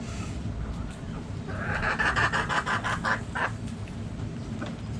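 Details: Backyard hens clucking in a quick run of short, throaty pulses over about two seconds, then a lone cluck, over a steady low background rumble.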